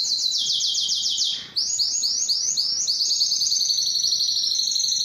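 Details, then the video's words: Yellow canary singing: a fast run of repeated high chirps, a brief pause, then a series of rising swept notes that settle into a steady, rapid high trill. "yellow canary singing"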